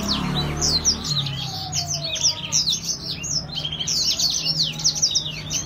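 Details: Gacor-style song of a grey singing finch: rapid high chirps and thin slurred whistles tumble together without pause, with a low steady background hum underneath.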